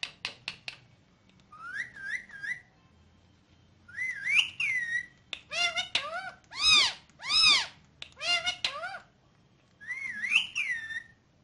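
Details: Pet ringneck parrot talking in Urdu/Hindi: bouncing whistled phrases that rise and fall, alternating with clipped, buzzy, speech-like bursts and a few sharp clicks, separated by short quiet gaps in a small indoor room.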